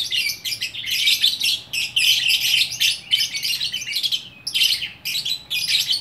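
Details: Single fighter lovebird in Bukittinggi, West Sumatra, in full orkestra song: almost unbroken, loud, grating high-pitched chatter with brief dips between phrases.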